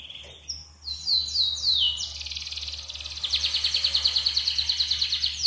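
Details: Yellow canary used as a singing prompt: descending whistled sweeps, then an extended buzzy roll and a strong rhythmic trill pulsing about four times per second, with a faint low hum.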